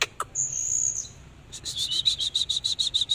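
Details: Oriental magpie-robin singing while performing a dancing display: two brief clicks, a long thin high whistle, a short pause, then a fast even series of sharp, high repeated notes to the end.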